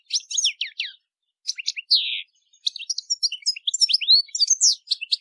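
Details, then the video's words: European goldfinch singing a softer, looser sequence of high chirps and slurred descending whistles, with scattered twittering notes. The song is meant for educating captive birds. "Canto de jilguero para educar /Goldfinch singing /Chant du Chardonnet Élegant"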